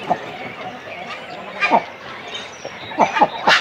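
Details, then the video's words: Cormorant chicks and adults calling on the nest in a breeding colony, close up: short, sharp downward-sweeping calls in scattered bursts, with a clustered series near the end over a steady colony murmur. "Cormorant. CU Calls From Chicks And Adults On Nest. Colony Sounds."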